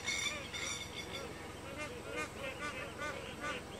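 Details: Purple swamphen (Porphyrio porphyrio), also called pūkeko, gives a run of harsh, nasal, rising-and-falling call notes, about two each second, over fainter high chirps from other birds.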